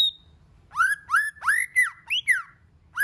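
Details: White-rumped shama, local chòe lửa, in many-voiced song meant to trigger other shamas to sing: a brief high whistle, then six loud rich notes, mostly rising, arching or falling, spaced about a third of a second apart.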